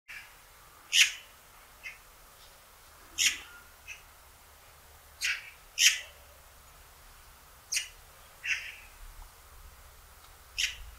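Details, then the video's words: Young Eurasian magpie chattering a little: short harsh broadband calls with strong upper bands, given singly or in close pairs every one to two seconds, separated by quiet gaps with faint low background rumble. "Junge Elster erzählt ein bisschen was"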